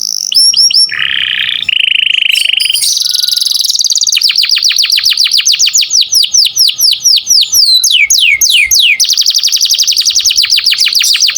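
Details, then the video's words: Lively 'gacor' canary song used to train other songbirds: a short low buzzy phrase, then long fast series of sharp chirps and upward-swept whistled notes, with brief rolling trills mixed in, continuous and loud. "Kenari gacor cuit cuit cocok buat masteran burung kicau"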